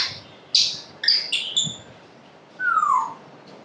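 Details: Pet African grey parrot makes a few sharp, clicky squeaks and short harsh notes, then a clear whistle that falls smoothly downward, heard indoors.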